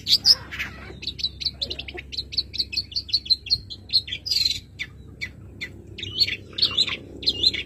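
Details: Caged Madura long-tailed shrike singing a song full of borrowed phrases: quick runs of thin, high chirps, a brief lull near the middle, then louder clustered twittering notes toward the end, with soft low hum throughout.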